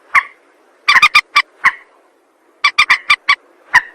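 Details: Recording of a rail used to lure birds for trapping: sharp, nasal notes, single or in quick runs of three to five, with short gaps between runs.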